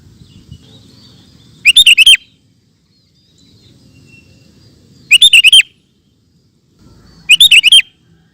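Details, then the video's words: Sooty-headed bulbul in 'ropel gacor' style: three short, loud bursts of rapid bubbling notes at uneven intervals of about two to four seconds, over a quiet low rumble. "Burung Kutilang Ropel Super Gacor"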